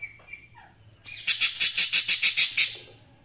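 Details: Budgerigars chirping: a quick series of about nine sharp, high, squawky notes evenly repeated over a second and a half, after softer scattered chirps at the start.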